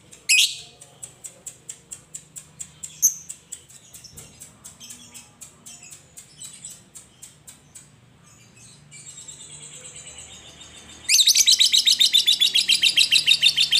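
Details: Caged lovebird of the fighter type giving sharp, high ticks repeated about twice a second, a soft buzzing passage, then a loud, fast, shrill chattering trill (ngekek) running through the final three seconds, played to coax other lovebirds into song.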